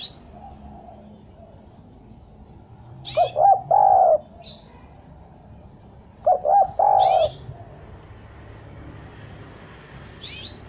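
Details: Spotted dove song for luring doves down: two low cooing phrases roughly three seconds apart, each two short notes and a sustained final coo, with faint high chirps from other birds.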